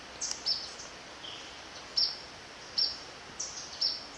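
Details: Yellow-bellied flycatcher recorded 11-11-17 along the River Section of Zamorano's Eco-Sendero with a hand-held Canon digital camera; short, thin, high chips come in uneven bursts about every second over a soft natural background hiss.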